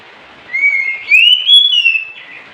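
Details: Oriental magpie-robin at night giving a drawn-out rising whistle that breaks into a higher sliding phrase, over a soft background hiss.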